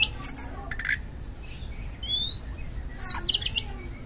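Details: Oriental magpie-robin singing loudly as a lure to prompt reluctant magpie-robins to sing: short sharp chirps and buzzy bursts, then a long clear whistle rising through the middle, more chirps after.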